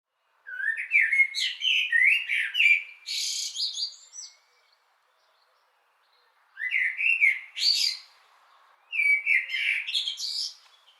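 A common blackbird sings three separate phrases, each a mellow, fluty warble that breaks into a thin, high twittering flourish, with pauses between phrases.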